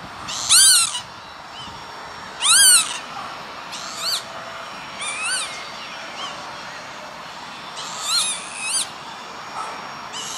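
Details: Lapwing on an industrial estate at Veenendaal, Netherlands, recorded 28 May 2013: a long series of slurred, rising-falling wheezes, two loud and close at first, then several softer ones at irregular intervals.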